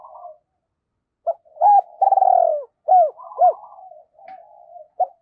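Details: Caged decoy spotted dove cooing to draw in wild birds. A soft opening note and a pause lead into one loud rolling coo followed by two clipped hoots. Quieter mumbled cooing trails after.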